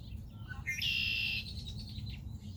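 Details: Red-winged blackbird at Rehoboth Beach, Delaware: a few short introductory notes, then a loud, harsh, buzzy trill held for about half a second, over low steady background rumble.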